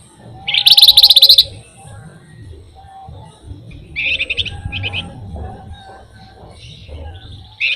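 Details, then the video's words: Flamboyan, described as a lively songbird given to steady rolling trills: a loud, rapid, piercing trill under a second long, then quieter chattering phrases and brief high notes later. "flamboyan gacor paling rajin ngerol ngebren"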